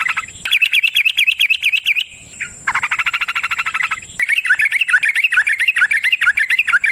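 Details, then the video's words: Yellow-vented bulbul lure recording: a quick bubbling whistled run, a short buzzy rattle, then more fast warbled notes, all in a continuous busy stream over a thin high whine. "Trucukan GACOR ngalas ROPEL PANJANG suara alam AMPUH buat pancingan"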